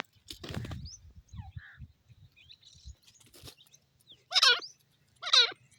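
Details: Grey francolin calling: soft scattered clicks and rustles, then two loud, harsh, grating calls about one second apart near the end.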